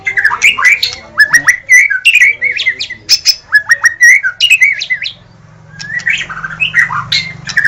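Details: White-rumped shama singing vigorously in gacor style: rapid strings of rich, liquid whistles rising and falling in varied phrases, with scattered high ticking notes, a short pause, then softer warbling.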